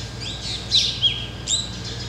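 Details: Black drongos (Dicrurus macrocercus), a flock perched in a tree in the Ranthambore jungle, Rajasthan, give three sharp, high, harsh notes about half a second apart, one with a twangy downward slur, over a low steady hum.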